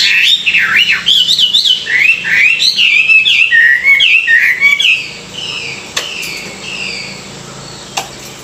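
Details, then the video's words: Chinese hwamei in morning song training, a caged songbird pouring out a loud, varied stream of swooping, looping whistles for about five seconds, then falling quiet apart from faint whistles and two clicks. "luyện giọng họa mi họa mi hót buổi sáng"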